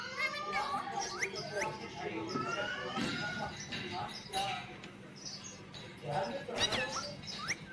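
Rose-ringed parakeet chattering, with quick rising squawks and rasping harmonic calls in a busy stream. Voice-like babble and a low steady hum run underneath.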